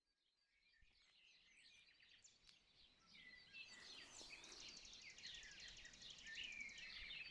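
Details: Several birds singing at sunrise, nearly silent at first, then a dense chorus of overlapping chirps, trills and whistles swelling in from about three and a half seconds and staying full to the end.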